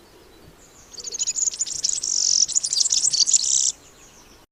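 European Serin song: a rushed, jingling twitter of very high, thin notes run together without pause for nearly three seconds.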